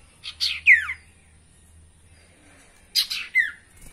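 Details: Sirtu song, varied and used as a lure to prompt captive sirtu to sing: two short bursts of sharp high chirps, each ending in a quick falling slurred whistle, about two and a half seconds apart, with a faint low hum at the start.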